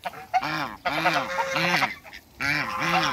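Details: African geese kept in a backyard with Muscovy ducks, loud, harsh, nasal honks in a rapid series of four long calls with short pauses between them, each rich and buzzy.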